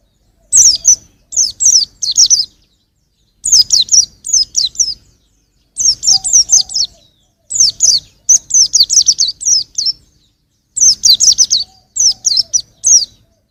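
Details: Young white-eye singing in quick bursts of three or four thin, high, sweeping chirps, each burst set apart by short pauses, repeated steadily through the recording.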